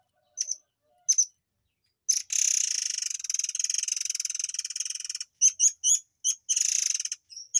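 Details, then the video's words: Murai air tembakan used to tutor white-rumped shamas: two sharp high chips, then a long three-second harsh, rapidly pulsed rattling buzz, followed by quick clipped notes and shorter rattling bursts. "TEMBAKAN BURUNG AIR MANCUR / MURAI AIR"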